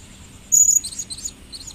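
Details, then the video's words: A caged blue-crowned hanging parrot, 2015 recording, opens with one loud piercing whistled squeak, followed by several quieter twittering high notes fading out, with a quiet steady background. "Bunyi Si King Pada Tahun 2015 Begini"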